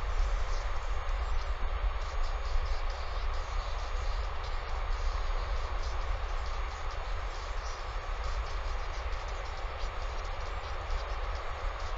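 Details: Steady low wind rumble buffeting the microphone, with no animal calls heard.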